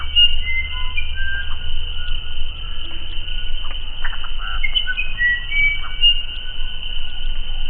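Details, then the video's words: Song of a musician wren: a series of pure, flute-like whistles, each held at a different pitch, interspersed with brief rough chatter notes, with constant low-pitched background hum throughout. "SOM DO DO PASSARINHO UIRAPURU"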